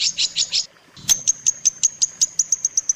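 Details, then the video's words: Long-tailed shrike training song, used to tutor other shrikes: a few full, rough high notes, a short pause, then a sharp burst followed by evenly spaced thin, piercing whistled pips. "suara masteran burung cendet paling di cari"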